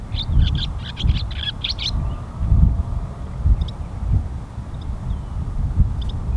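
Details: Barn swallows at Pease Tradeport, New Hampshire, give a quick burst of high, clipped chirps over the first two seconds. A few scattered single chirps follow, against a constant low background rumble.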